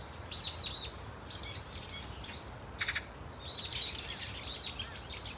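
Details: Brown-eared Bulbuls of a flock at Dunsan Grand Park make scattered high, wavering squeals, then a sudden harsh burst, followed by a denser stretch of overlapping shrill calls.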